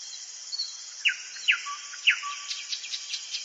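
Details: Common nightingale singing in a forest at night, three loud downslurred whistles followed by a rapid run of short high notes, over a continuous high-pitched hiss.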